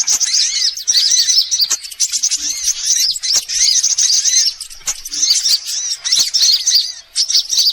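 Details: Assorted sunbirds on a lure recording for attracting birds: rapid high-pitched chattering with repeated looping, arched chirp notes, continuous and densely layered.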